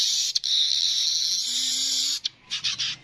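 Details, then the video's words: Streaked weaver pouring out one long, even, sizzling buzz for about two seconds, followed by a few short chattering notes. "Burung Manyar kepala kuning suara asli"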